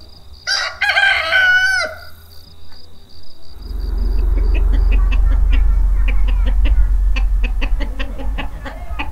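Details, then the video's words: A rooster crows once in early autumn in the village of Sochy, Roztocze, Poland: a loud, harsh crow ending in a falling, drawn-out note, followed by a steady insect buzz, wind rumble and soft rapid ticking. "rooster crowing"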